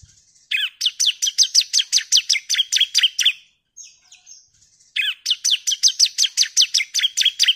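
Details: Female bar-winged prinia calling the male, used as a lure to stir other birds into singing: two fast bursts of sharp, down-slurred chirps, about a dozen notes each, separated by a brief pause with a faint thin whistle.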